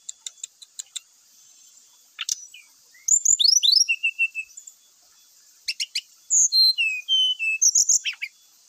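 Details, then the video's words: Grey-chested jungle flycatcher in energetic song, packed with varied phrases and used as a lure to get other birds singing. Scattered sharp clicks lead into fast high whistled slurs, short level notes and downward sweeps, in bursts separated by brief pauses. "sikatan rimba gacor"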